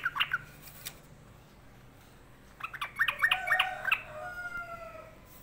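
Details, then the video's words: Sooty-headed bulbul said to be sulking: two quick notes, a long silence, then a burst of rapid chattering notes, trailing into a faint sustained tone. "Trucukan lagi ngambek"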